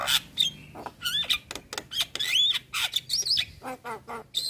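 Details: Black-winged starling song used as masteran for training songbirds: harsh buzzy notes, sharp chips and whistled rising and falling phrases in rapid varied bursts, with a low hum underneath.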